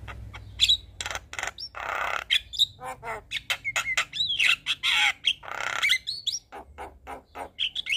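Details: Javan myna in vigorous 'gacor full isian' song, a long mix of harsh squawks, gravelly rasps, clicks and short high whistles tumbling quickly one after another, with a low hum behind.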